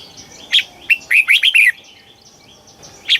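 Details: Red-whiskered bulbul giving a single bubbly phrase of slurred, rising-and-falling whistles in the southern master style, intended for rousing or training birds; a lone sharp note follows after a short silence.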